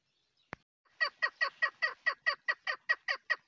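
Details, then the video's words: A female chukar partridge gives a quick, harsh, clucking chuck-chuck, about two to three notes a second, steady and insistent after a single sharp click. "female hunter bird voice kekkik sesi sound hunting sound chakor birds"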